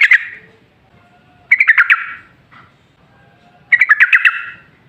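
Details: Yellow-vented bulbul singing as a lure for other bulbuls: three short bursts of rapid bubbly notes about two seconds apart, each a quick cluster of four to five descending chirps, with a faint low hum behind.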